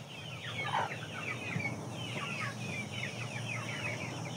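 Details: Chickens from a flock of aseel, shamo and Saigon ganoi breeds give many overlapping shrill chirps sweeping downward, packed close together over a constant low background drone.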